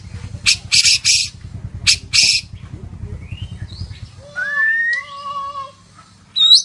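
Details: White-rumped shama of the Medan variety singing hard: harsh broadband bursts first, then a pause, then clear rising and level whistled notes and a final high squeak.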